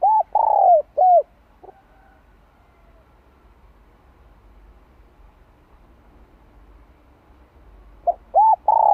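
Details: Low rounded coos of a spotted dove, a '2 hậu lỡ' training call for newly caught birds: a quick cluster of three or four hoots, about six seconds of near silence, then the cluster begins again.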